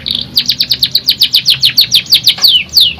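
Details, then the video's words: Canary sings a steady trill of quick, sharp, downward-sweeping high notes, about six per second, ending in two longer slurred descending notes; faint low hum beneath. "KENARI GACOR NGEROL NEMBAK | CANARY SINGING"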